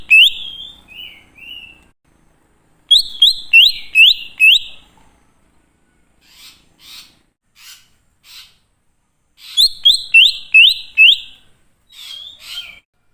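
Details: Wild-style greater green leafbird song for luring wild birds: soft downslurred whistles, then two bursts of loud rising notes in rapid runs of five or six, with fainter chips between and long quiet gaps.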